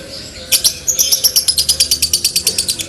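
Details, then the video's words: Lovebird training recording in the long-trill konslet style. After a brief pause, a rapid run of high, sharp chirps repeats about seven times a second, steady and piercing, for over two seconds. "Dobelan love bird konslet mewah"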